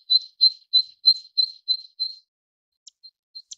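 A zitting cisticola gives seven sharp, high 'zit' notes about three per second, followed by a few faint ticks.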